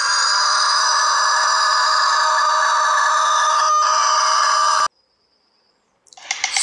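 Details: A chicken (Gallus gallus domesticus) rooster gives one long, loud, drawn-out crow lasting nearly five seconds; after a short silence, another bird's call begins.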